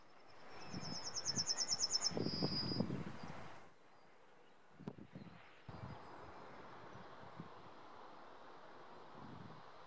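A male yellowhammer gives a fast run of about a dozen high, thin repeated notes ending in a longer drawn-out note, over low rumbling and rustling.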